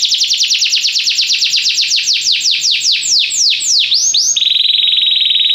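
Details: Singing Belgian canary used for song training, delivering a fast series of downward-sweeping whistled notes that gradually slow and deepen, breaking into a brief flourish and ending on a level rolling trill.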